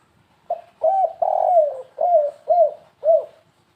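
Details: Spotted dove giving a stuttering 'kuk3 gagap' style lure call: a short opening coo, then a run of five mellow, hollow coos with one long drawn note in the middle, each coo rising slightly and then falling.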